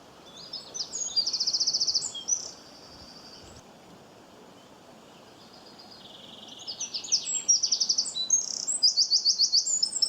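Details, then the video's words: A small bird chirping in two bursts of high, quick, twittering notes, with trills and rapid repeated buzzy elements, separated by a quiet pause of about four seconds; faint background hiss. "bird chirping sound"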